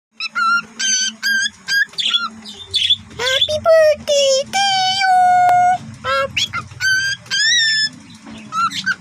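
A cockatiel whistles the Happy Birthday tune in clear, slurred notes with a low hum underneath.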